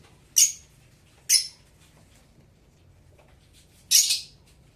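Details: Blue Fischer's lovebird chirping indoors: three shrill, harsh, high-pitched chirps, the first two about a second apart and the last a longer, rougher burst, with a quiet room hum between them.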